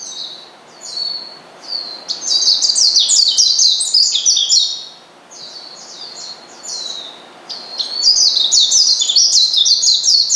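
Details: Oriental white-eye calling to provoke a rival into agitation: rapid, high-pitched twittering phrases of thin sliding notes, delivered in dense bursts separated by short quieter gaps.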